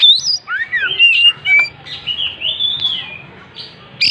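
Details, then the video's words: Oriental magpie-robin singing energetically while spreading its tail: a run of clear whistled phrases, some rising and some falling, sliding between notes, with short pauses and a sharp note at the end. "Burung Kacer gacor buka ekor"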